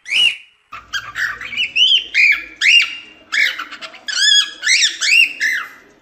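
A cockatiel chatters and whistles in a rapid run of bright, arching notes, rising and falling quickly, with harsh squawky edges between them.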